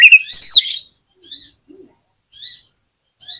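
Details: Oriental magpie-robin, used to prompt a quiet magpie-robin to reply, gives a loud rich whistled phrase, then soft buzzy chip notes repeated about once a second with one low note between.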